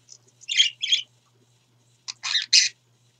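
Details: A pet male budgerigar (parakeet) in a quiet room utters two raspy, high two-part phrases about a second apart, a scratchy mimicked "birdie"; he also says "pretty birdie" and "I love you".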